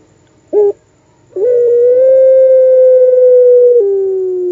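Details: Puter pelung dove giving its prized long call, likened to a wolf's voice: a short hoarse note, a pause, then one loud, drawn-out steady hooting tone held for over two seconds that drops slightly in pitch at the end.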